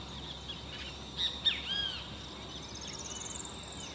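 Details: Field (Campo) Flicker in San Ignacio, Misiones, Argentina, giving a few sharp, arched call notes, then a quick, high, rising run of rapid notes over a steady outdoor hiss.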